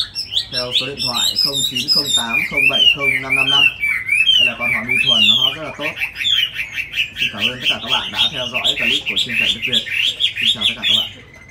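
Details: Caged tame Chinese hwamei in Hanoi, Vietnam, singing a dense, continuous stream of rapid, buzzy and whistled phrases, with a human voice audible beneath the song for much of the time.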